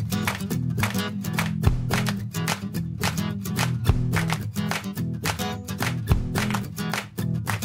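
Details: Strummed guitar music with a steady beat plays throughout, and no animal sounds can be picked out.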